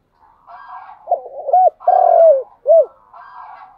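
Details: Spotted dove lure call at morning, intended to bring wild doves in. A steady phrase of short coos, a long falling coo and a last short note, set against a softer buzzy wavering cooing before and after.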